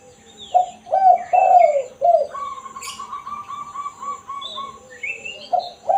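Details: Spotted dove, kuk satu style call for luring wild doves: a phrase of four mellow, descending coos, then a long steady whistle-like tone from another bird, then the dove starting again, with scattered high chirps.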